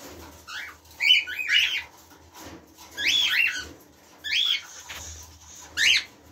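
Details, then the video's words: Red-eyed cockatiels give bright, rising-then-falling whistled chirps in short bursts about every one to one and a half seconds, over a low background hum. "كوبلا طائر كالوبسيت مغربي عين حمراء"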